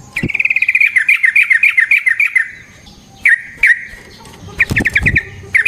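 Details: Sooty-headed bulbul singing in an aggressive, fighting style used to draw replies from other bulbuls: a quick run of about twenty chattering notes, a pause, then isolated chirps and a short stuttering burst.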